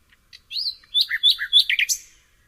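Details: Common nightingale singing a short, rich phrase: a soft introductory chip, a rising whistled slur, then a quick run of bright sweeping notes and chirpy trills lasting about two seconds, against a clean, quiet background.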